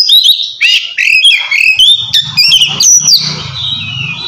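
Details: Loud ngeplong song of an Oriental magpie-robin, a rival call to get quiet birds singing; quick rising and falling whistles, clear pure notes near the end, with a low murmur underneath.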